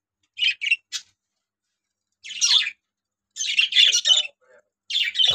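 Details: A newly acquired pair of lovebirds after summer, giving shrill, high-pitched squawking chirps in short bursts: two quick notes, then a single note, a pause, a harsh burst, and a run of clustered screeches, in a quiet indoor room.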